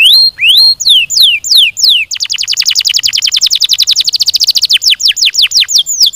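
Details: Canary in full song: loud looping whistled phrases that drop in pitch, then a long rapid trill of repeated sweeping notes gradually slowing into spaced downward whistles.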